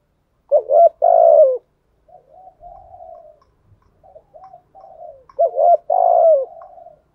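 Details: Caged decoy spotted dove calling to lure wild doves: two loud cooing phrases, each a short rising coo then a long falling drawn-out coo, with softer low murmured coos between them.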